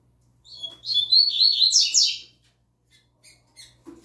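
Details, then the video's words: Young double-collared seedeater, a novice bird singing the tui tui zel zel style: a dense, rapid burst of high, buzzy, twittering notes that rise and tumble for nearly two seconds, followed by a few soft chips in a quiet room. "OLHA O CANTO DO PAPACAPIM FILHOTÃO NOVATO!!! ELE ENCARTOU O TUI TUI ZEL ZEL!!!"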